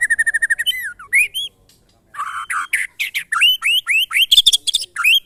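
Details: White-rumped shama singing during a mental test alongside neighbours' birds: a fast run of about a dozen repeated identical notes, a short silent gap, then loud, varied, upward-slurring phrases and harsh bursts delivered in quick succession.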